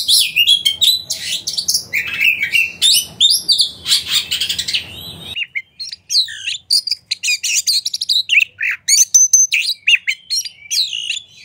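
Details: Lure song of an Oriental magpie-robin (kacer) meant to stir rival birds into singing, tail fanned; dense mix of sweet whistles, sliding notes and scratchy chips, a low background hum fading out midway, then crisp separate phrases.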